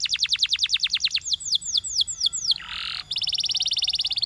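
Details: Champion canary singing a run of quick, sharply falling notes, then slower swooping whistles. A harsh, rasping burst follows, then a steady, fast buzzy trill.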